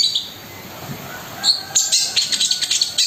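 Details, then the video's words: Long-tailed shrike singing actively with rough fill notes and rapid rolled bursts: a near-silent start with one faint note, then a dense run of sharp, high chattering notes over a steady high hiss. "BURUNG CENDET GACOR MEWAH ISIAN KASARAN DAN TEMBAKAN ROLL SPEED"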